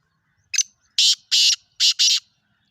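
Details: Black francolin, known locally as kala teetar, calling: a short sharp note, then four loud harsh grating bursts, the last two run close together, giving a scratchy rhythmic phrase over a quiet background.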